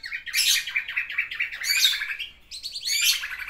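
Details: Pet black-naped oriole singing isian phrases to court a female. Three buzzy, rasping bursts of quick stuttered notes, separated by short pauses.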